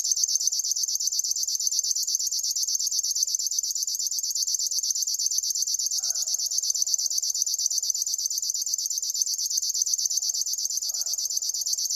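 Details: Sustained, mechanical pulsed buzz of a singing River warbler, high and evenly rhythmic throughout, while a quieter lower-pitched bird calls a few times in the background.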